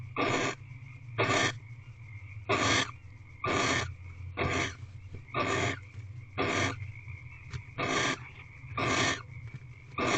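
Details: Wild female barn owl reclining in her owl box on a late February evening. She makes a long regular series of rasping, wheezy hisses, each under half a second, spaced roughly a second apart, with a low droning hum beneath.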